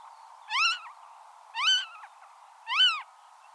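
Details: Marsh harrier (Circus aeruginosus) recorded in the wild: three loud, arched, harmonic mewing calls that rise and then fall, one about every second, over a steady background hiss.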